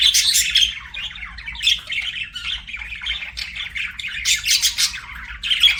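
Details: Chattering pet budgies: a steady mix of high squeaks, grating squawks and rolling warbles from several birds at once.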